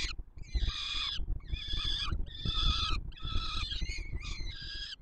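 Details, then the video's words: Nestling peregrine falcons beg as the male feeds them, Palace of Culture and Science, Warsaw, Poland, 7 July 2022; four strong, drawn-out rasping screams roughly one per second, low rumble beneath. "Franek karmi maluchy"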